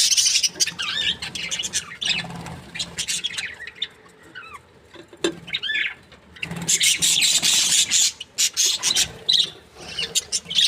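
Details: Budgerigars, a happy Australian breeding pair, chirping in bursts of busy high chatter, with a quieter middle stretch of thin rising and falling whistles before the lively chirping returns.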